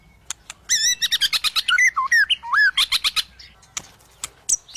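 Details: White-rumped shama (murai batu) in an aggressive mood, seeking an opponent, sings a rapid run of rich, wavering whistled notes, about two per second, that slide downward, followed by sharp clicking notes.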